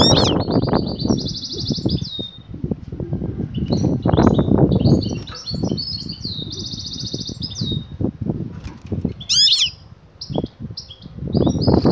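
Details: A female European goldfinch calls a male to mate with batbata calling. High buzzy trills and twitters, plus one sharp chirp burst, sit above heavy, continuous low thumping and scraping noise.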